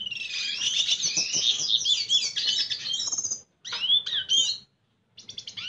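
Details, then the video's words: Red siskin, a male singing to court a female: a fast, dense run of high twittering and buzzy trills for over three seconds, then two shorter bursts of sweet rising and falling notes separated by brief pauses. "Pintassilgo venezuelano cantando sedutora fêmea - Red siskin singing"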